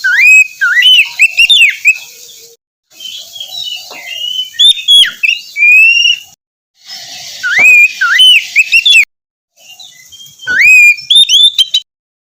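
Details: Oriental magpie-robin in full song, played in the morning to stimulate a reluctant singer; four bursts of rich whistles, rising slurs and sharp chips, separated by short silences over a faint hiss.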